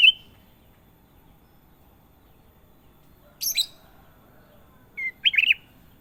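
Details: Sooty-headed bulbul (kutilang emas) giving scattered song: a short bright whistle, a brief scratchy note a few seconds later, then a held whistle and a quick warbled flourish near the end, with silence between.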